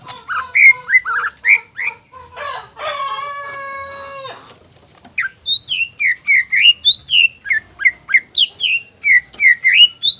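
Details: Greater green leafbird lure song to make other leafbirds emotional and prolific: quick whistled notes, a long harmonic buzzing phrase in the middle, then a steady rapid series of sharp up-and-down whistles.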